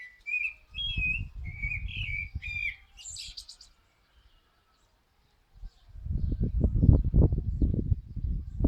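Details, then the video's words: Common blackbird singing: a few low, fluting warbled phrases around two seconds long, ending in a high squeaky twitter, over heavy low rumbling wind noise that returns strongly after a short quiet gap. "Mirlo cantando"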